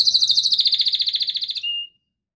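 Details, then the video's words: Canary master song used for training birds: a bright, very fast rolling trill that slowly slows and softens, closing with a short clear whistled tone before silence. "MASTERAN KENARI LAGU ENAK"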